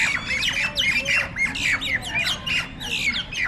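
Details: Starlings (jalak nias) in a tense fight. Loud, grating squawks and downward-slurred screeches tumble over one another several times a second, with a faint low hum beneath.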